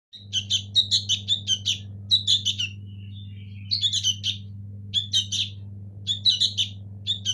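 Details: Local sooty-headed bulbul nestlings give bursts of harsh, scratchy chirps in quick clusters, with a short pause midway, over a steady low electrical hum.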